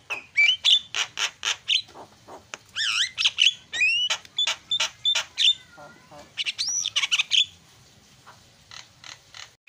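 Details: Javan myna isian song, described as super noisy: a fast stream of loud raspy squawks punctuated by clear, looping whistles and wavering tones, fading to softer scratchy notes at the end.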